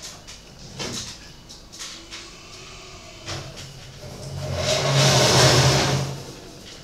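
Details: A car engine idles and then revs, swelling into a loud accelerating roar near the end, with scattered clicks and knocks before it and no animal voice.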